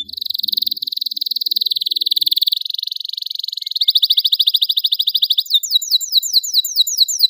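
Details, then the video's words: Vigorous canary song used as a tutor for young canaries learning to sing: a long rolling high trill, then a faster pulsed trill, ending with quick repeated downward-slurred notes. "CUITAN KENARI GACOR cocok PANCINGAN KENARI PAUD BELAJAR BUNYI AGAR CEPAT GACOR"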